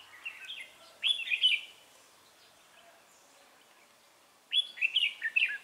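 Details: Fighting song of a Red-whiskered bulbul used as a trapping decoy, 3 November 2018: two loud, rich warbled phrases of rolling whistles, each about a second long, separated by a three-second pause.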